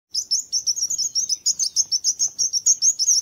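A sparrow gives a fast, unbroken run of bright, high chirps, several each second, slightly uneven in pace, with no other sounds.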